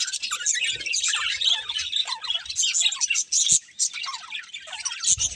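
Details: Budgerigar breeding pair in steady chatter: rapid, overlapping high chirps, warbles and short squawky notes run without pause, with a brief click partway through.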